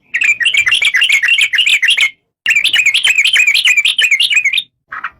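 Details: Yellow-vented bulbul (trucuk) pouring out two long bursts of quick, bubbly chattering notes, each about two seconds, separated by a short pause, ending with one brief note.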